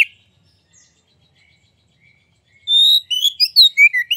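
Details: After about two and a half seconds of near silence, a white-rumped shama bursts into song, a long clear whistle then quick looping whistled notes, played to make other shamas sing.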